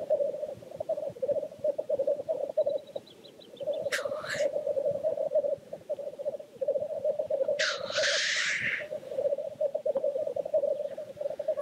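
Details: Black grouse at the lek: continuous low bubbling rookooing chorus throughout, broken twice by harsh hissing sneezes, with a faint high chattering bird in the background.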